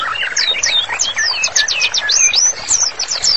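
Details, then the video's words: White-rumped shama in full song, used as a master song for training: an unbroken flow of looping, slurred whistles that sweep up and down across a wide pitch range, rich and varied without pause. "MURAI BATU GACOR, MASTERANNYA COCOK BANGET UNTUK TERAPI"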